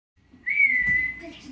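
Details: Parrot giving a single long, clear whistled note that rises slightly at the start, then holds steady and level for about half a second before fading.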